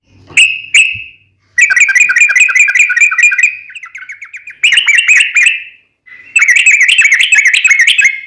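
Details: Sooty-headed bulbul singing 'gacor' with a long rapid roll: two clear opening whistles, then extended bursts of quick, bubbly, warbled notes. The bursts are broken by brief pauses, and one softer stretch of rapid ticking notes comes in between.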